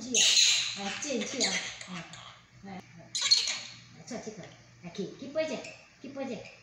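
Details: Talking monk parakeet reciting learned Chinese phrases: clipped, buzzy syllables in quick succession, with hissy noisy onsets and short gaps, recorded indoors.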